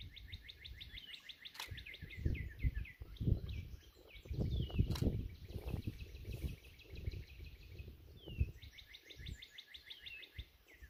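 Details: Rival Northern Cardinals competing on an April 19 morning bird walk, one across the way: dense trains of rapid repeated notes and occasional downslurred whistles, with thumps, footsteps and low background rumble.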